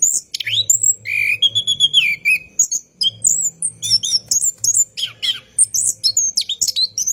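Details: Night song of an orange-headed thrush, used as a lure for cage birds, delivered in long rolling runs: rapid mixed whistles, short rising and falling slurs and scratchy notes with a faint low droning hum.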